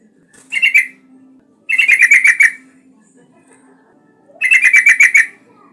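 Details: Yellow-vented bulbul singing in an energetic, constant style, used as a lure to get other bulbuls to answer and sing: three bursts of rapid, bubbly chirps, the middle one longest, over a faint low hum.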